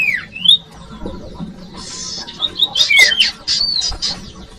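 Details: Common iora song for luring young birds: scattered sharp downslurred notes and brief buzzy phrases, fairly irregular, with a low background hum.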